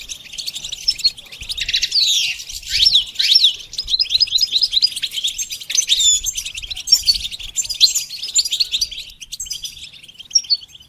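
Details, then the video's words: A goldfinch sings a fast, unbroken, high twittering, mixing tinkling trills, quick slurred notes and brief buzzy phrases, with no other sounds, in a recording about training goldfinches to sing. "training the goldfinch to sing"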